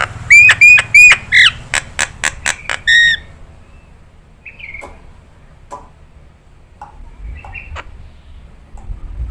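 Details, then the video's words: Nias hill myna song used as a training recording for songbird keepers: a run of loud, clear whistles near the upper-middle register, several sharp repeated notes in quick succession, then quieter scattered calls with low background hum. "Masteran ini.. JALAK NIAS mudah ditiru"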